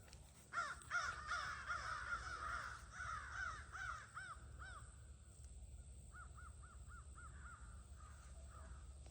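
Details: At a crow gathering near evening in August 2026, loud overlapping caws give way to a string of separate calls, then fade into a quicker, fainter series of short caws.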